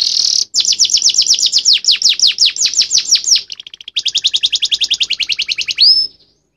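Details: Canary in full song with a distinctive ending: loud rapid series of downswept whistled notes, a fast rolling trill, and a final rising then level pure whistle.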